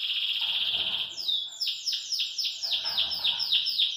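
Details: Song of a caged Belgian canary: a steady rolling trill for about a second, then a run of evenly repeated, downward-sliding whistled notes roughly four per second, clear and high.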